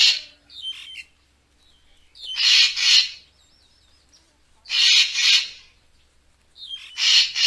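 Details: Lure recording of a racket-tailed treepie for bird photography. Loud rasping double calls repeat about every two seconds, with a wavering whistled trill and thin squeaks in the gaps.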